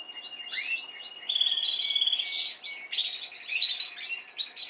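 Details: Spanish timbrado canaries, a last-season singer plus young birds learning their song. The clip holds a steady rolling trill that breaks into sharp, fast, clicking rolls after a brief gap.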